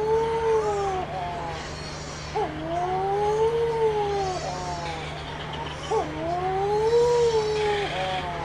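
Wedge-tailed shearwater giving long, eerie, cat-like moaning wails, each swelling and sagging over a second or two, repeated back to back over a steady low hum.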